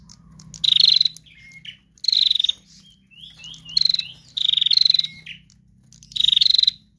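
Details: Lure song of a female prinia, trotol type: five vigorous buzzing trills of rapid ticks, some paired, with thin rising squeaks in the pauses and a low steady hum.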